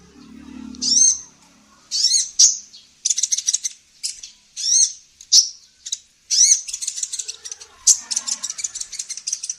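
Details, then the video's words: Female sunbird called kolibri ninja, recorded as training material for songbirds: high chirps mixed with fast buzzy rattling trills, slightly softer overall, a faint low hum at the start. "SUARA BURUNG KOLIBRI NINJA BETINA GACOR"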